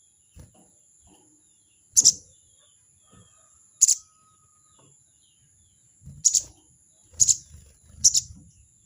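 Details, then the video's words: Crested jay's 'crecet' call, given to challenge a rival: five harsh, scratchy bursts, spread out at first and then coming faster near the end, with low rustling and thumps and a steady high whine. "crecet crecet burung sogon memanggil lawan!!burung sogon bikin emosi!!"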